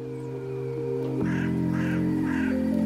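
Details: Hooded crow in snowy early March (4 March 2024) woodland gives three harsh, hoarse caws about half a second apart, over steady background music.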